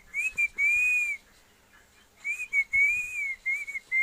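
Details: Pet parrot in Assam whistling: clear pure tones, some gently arching, others short and clipped, in two phrases separated by a pause of about a second; faint hiss in the background.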